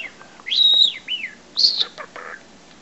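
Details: Pet parrot of about five months gives loud whistled phrases: a high sustained note falling away, a lower arched whistle, then another high tone and softer warbling notes.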